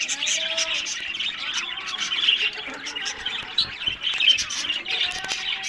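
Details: Captive budgerigars produce a busy mix of overlapping chirps, scratchy warbles and short squawks, with a few clearer tonal notes and occasional loud clicks.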